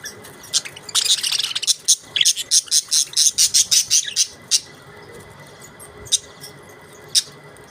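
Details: Australian budgies give a dense chattering burst, then a regular run of a dozen sharp, high chirps about three per second. Scattered single ticks follow over a faint background hum.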